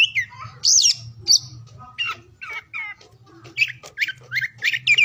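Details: Oriental magpie-robin song recorded for morning, noon and afternoon: varied whistles, a high sweeping note, and short scratchy calls, delivered in irregular bursts with pauses, over a low background hum.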